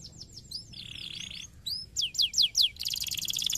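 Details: Canary song intended to set other canaries singing: rapid falling notes, a flat buzzy trill, three loud swooping downward whistles, then a dense, harsh rattling roll.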